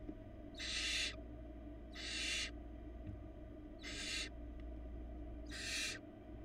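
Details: Barn owl nestling at a nest box in Florida, now able to feed itself on small pieces, repeats harsh rasping hisses, four in six seconds, each about half a second, over constant low background hum.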